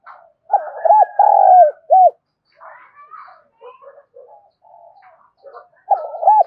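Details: Lure spotted dove calling to provoke wild doves: a full coo phrase with a long rolling note opens, then softer scattered sounds in the middle, and another cooing phrase begins at the end.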